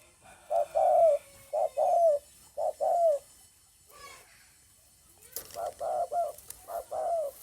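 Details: Spotted dove cooing, recorded 9 May 2020: mellow, hollow coos in phrases of a short note followed by a longer, slightly falling one. The phrases repeat after a pause, with a brief noise burst in between.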